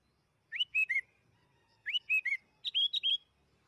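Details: Kutilang, the sooty-headed bulbul, gives three quick phrases of three rich whistled notes each, an upslurred note then two falling ones, the last phrase pitched slightly higher; a lure recording to get the bird singing fast.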